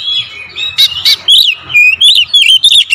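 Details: Magpie-robin 'pancingan' song: a smooth looping whistle opens, then loud ringing notes and a rapid sequence of rising and falling whistled phrases with rapid 'tembakan rapat' attack.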